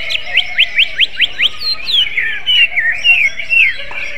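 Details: Greater green leafbird singing in kacer style: a rapid series of about eight sharp upward-slurred notes, followed by varied sweeping whistles and trills over a steady hum.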